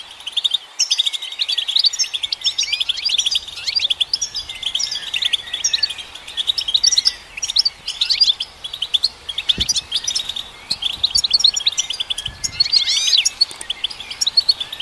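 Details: Long, sustained European goldfinch song aimed at stimulating goldfinches: rolling, tinkling twitter of bright chirps and liquid trills in waves, with a few soft low knocks in the background.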